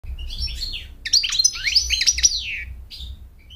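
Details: American goldfinch song, sung to attract a mate and to teach chicks to sing: a quick jumble of high, sweet twittering notes and descending slurs, rising to a busy burst of rapid phrases, against a low steady hum.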